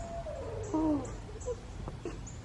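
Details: Owl calling at night near a bridge, the night before Halloween, likened to a horse or wolf neighing; a single descending, quavering whinny-like call lasting about a second, followed by faint rustling and low background rumble.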